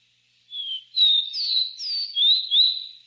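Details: Capped seedeater giving its three-note song: a clean, sweet whistled phrase of several gliding notes, rising and falling, the middle ones slightly higher, over a silent background.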